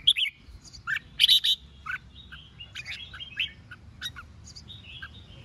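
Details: Red-whiskered bulbul performing contest singing to stir rival birds, with lively whistled chirps and brief trilled bursts, then softer scattered notes and thin whistles trailing off.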